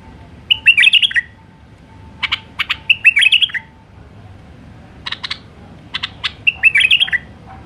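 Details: A wild white-eared bulbul (Pycnonotus leucotis) sings short, bubbly warbled phrases with sharp clicks between them, about every two seconds, over a soft low hum.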